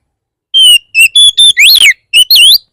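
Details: Oriental magpie-robin song used to provoke other magpie-robins to sing; a short phrase of clear whistled notes, some flat, one rising then falling, delivered in quick succession against silence.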